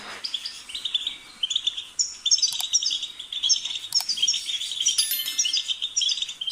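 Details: Goldfinch singing a dense, continuous twittering warble of high tinkling notes and buzzy trills, faint low background noise beneath.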